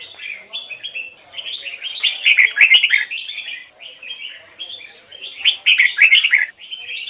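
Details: Red-whiskered bulbul with the Hoài Sơn forest double-note voice, a training bird, repeating bright slurred whistle phrases in two loud peaks about three seconds apart, soft chattering warble throughout.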